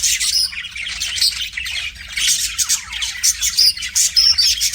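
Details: Budgerigar kept as a pet, warbling at its mirror reflection; a busy chatter of scratchy chirps and short whistles runs without pause, pulsing in quick bursts.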